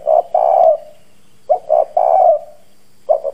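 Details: Spotted dove kept as a decoy, harsh bronze-type voice, cooing to lure and provoke wild doves; deep phrases of two quick notes and a long hoarse coo, repeated roughly every one and a half seconds.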